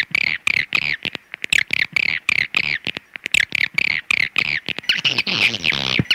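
Swiftlets give rapid, high, buzzy chirps in quick bursts, each note sharp and clicking, repeated several times a second with brief pauses between runs.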